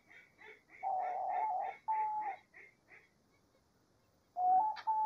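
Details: Diamond dove song in nature, a run of soft, level, hooting coos joined into a long note, then a pause and two more rising coos, with short repeated chirps of other birds at first.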